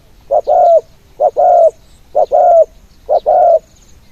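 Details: Decoy spotted dove singing from the ground in khan yon style to draw in wild doves. Four evenly spaced phrases, each a brief note then a longer, slightly falling coo. Faint high chirps sound in the background.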